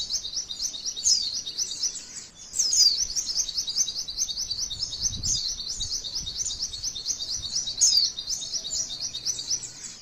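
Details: Female white-eye pouring out a long, fast, high twitter, used as training material that provokes rival white-eyes; a brief gap near two seconds, then steady rattling trills with occasional sharper squeaks.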